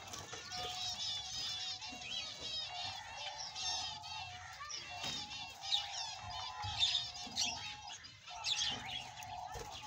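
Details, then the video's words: Male budgerigar from Australia pouring out dense, rapid, harmonic chirps and squeaks in long runs, louder peaks near six and nine seconds, over a steady mid-pitched hum. "BEAUTIFUL AUSTRALIAN BUDGIE PARROT MALE"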